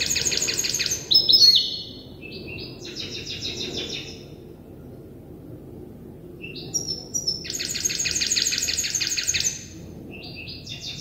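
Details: Goldfinch hybrid youngster, still memorising its song by copying an older hybrid, alternates dense buzzy rattles with clear high chirps and twitters, in two separate bursts.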